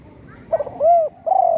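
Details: Part of a phrase from a spotted dove that had a wing broken by a shot and now sings at home: short flickering notes, one smooth arched coo, then the start of a longer coo.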